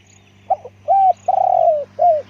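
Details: Spotted dove coo phrase: a brief hiccup note, a steady coo, a long rolling coo that sinks at its end, and a final shorter coo, over faint hum.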